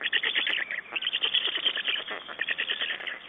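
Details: Black storks at a nest in Estonia on 6 June 2011, during nest exchange and feeding: a dense, continuous run of harsh, rasping, rapidly pulsed calls with no quiet gaps across the whole stretch.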